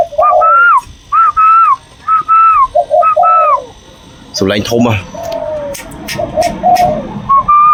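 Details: Untrained young zebra dove, leg tied, with a loud voice: a run of clear whistled coos that rise then fall, paired with lower cooing notes, then a person speaking and further soft cooing with faint clicks.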